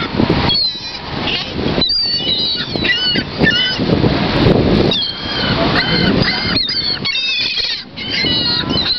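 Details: Gulls swarming at Lake Eola in downtown Orlando; repeated nasal, honking cries in quick bursts of two to four, several birds calling over one another against a loud rushing background of wind and flapping.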